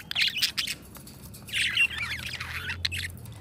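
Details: Budgerigars chattering: bursts of harsh, scratchy squawks and warbles concentrated high in pitch, loudest near the start and again midway, with a faint low hum underneath.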